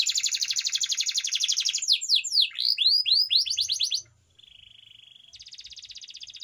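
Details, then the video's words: Canary training song opening with a rapid rolling trill and looping whistled sweeps, then a brief pause, a thin steady tone and a quieter buzzy trill. "canary bird singing _your canary will not stop singing with this training song_الكناري"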